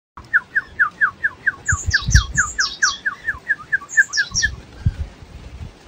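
An African grey parrot gives a fast run of short, down-slurred whistled notes, about three per second, with higher squeaky whistles mixed in and low thumping sounds.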